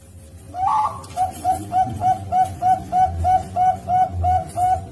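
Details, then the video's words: Male zebra dove or one of his two offspring, Bangkok line, hatched 31 March 2022 in Pasuruan, East Java, Indonesia; a slightly longer opening note leads into a loud, even series of short cooing notes repeated rapidly. "SUARA PERKUTUT BAPAK (CEMBURU) dan 2 ANAKNYA"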